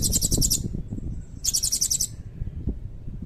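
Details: Two separate bursts of fast, high-pitched pulsed trilling from a blue-crowned hanging parrot, each about half a second long, with low background rumble and a faint thin whistle between them; cililin-style filler song.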